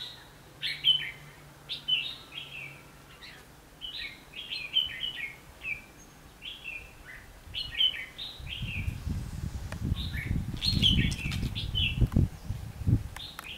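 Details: Red-whiskered bulbul in Vietnam, recorded on a trapping day, 19 November 2015: rapid series of short bright warbled notes, about one per second, continuing steadily while a louder low rumbling noise sets in halfway through.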